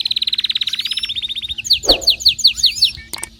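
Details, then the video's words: Excited canary singing: a rapid, even high trill of about 25 notes lasting a second and a half, then a slower run of sharp, down-slurred piping notes, with a brief low rustle midway. "غناء كناري هايج ومولللعCanario -canary"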